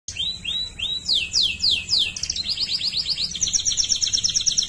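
A Waterslager canary sings a fast chain of high tours: rising whistles, then steep falling sweeps, then rapid rattling trills, with no other sounds.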